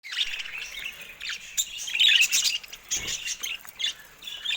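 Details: Caged budgerigars, birds going at a camera: busy warbled chatter of squeaky notes and short trills, with scattered sharp clicks and a soft thump near the middle.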